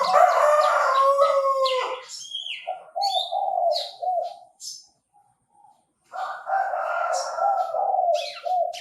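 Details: Chinese francolin heard during bird trapping gives harsh, grating call phrases, pausing about a second mid-clip before calling again, while thin high chirps of other birds sound faintly behind.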